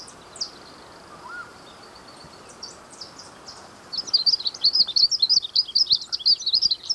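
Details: Glaucous-blue grosbeak singing after about four seconds of near quiet with a few faint distant notes: a quick, high, jumbled warbling twitter that continues steadily to the end.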